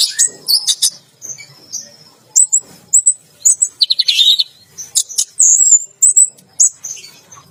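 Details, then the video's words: Bathing orange-headed thrush in a bath cage keeps singing 'teler gacor', pouring out rapid high chirps, thin whistled slurs and a brief buzzy rattle, phrases broken by tiny gaps. "Anis Merah Teler Gacor || Baru Kali Ini Ada Burung Mandi Keramba Sambil Teler Gacor"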